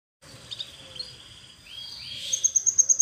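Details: Canary song used for training, starting with soft, high, drawn-out whistled notes and rising slides, then building into a quick, bright, pulsing trill near the end over faint low background noise.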